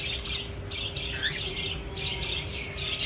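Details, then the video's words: A pet parrot kept at home gives rapid, harsh chattering squawks in bursts about every half second, over a low steady hum. "کورني طوطی _ parrots nice sound"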